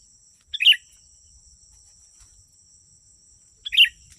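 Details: Sooty-headed bulbul song played to attract wild birds: two brief, bubbly chirped phrases about three seconds apart, with a constant faint high-pitched whine in the background.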